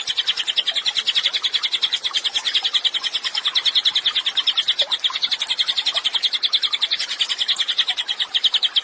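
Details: Cililin singing vigorously, used as a training recording for songbirds: a steady run of rapid, sharp chattering notes at about three per second, bright and high-pitched, continuing without pause throughout.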